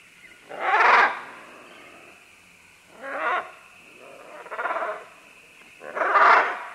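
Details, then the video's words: Several green-winged macaws calling at medium-close to medium range as they climb down along vines: four harsh, raspy squawks, each about half a second long, spaced roughly every one to two seconds, with a faint steady hum behind. "Green-Winged Macaw. MCU - MD Calls From Several As They Descend Along Vines To"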